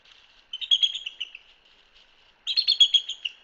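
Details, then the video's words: Bald Eagle chatter on a live nest cam in Hanover, Pennsylvania: two bursts of thin, high, rapid piping notes, each a quick chattering series lasting about a second, with quiet between them. "eagle chatter"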